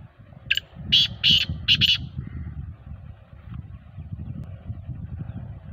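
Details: Black francolin calling: a short burst of four harsh, grating notes in quick rhythm lasting about a second and a half, then quiet, with a steady low rumble of passing traffic underneath throughout.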